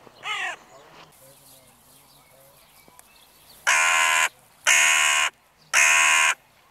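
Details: Crows in the evening: one short harsh call, then after a quiet stretch three loud, rasping caws of even length, each about half a second long and about one second apart, over low background hum.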